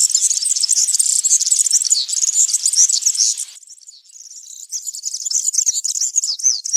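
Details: Forest recording of European serin campero song: loud, rapid, metallic twittering trills at very high pitch, dropping to a quieter passage for about a second midway, then the fast jingling song returns strongly.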